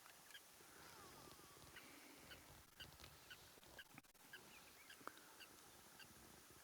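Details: At a water hole in the African bush on the morning of 9 July 2025, as a lion pride comes down to drink, a Blacksmith Lapwing loudly objects with sharp, metallic clinks about twice a second over steady hiss and low rumble.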